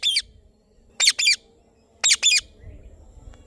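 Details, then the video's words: Indian ringneck parrot chirping: short, harsh, high squawks given singly or in doubled pairs about once a second, over a low background hum. "Parrot Chirping Sounds / Voice"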